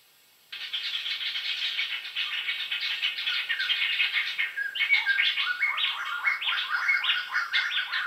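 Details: After a silent start, a Black-hooded laughingthrush pours out a fast, continuous chatter of harsh and whistled notes, growing more varied and stepwise in pitch toward the end.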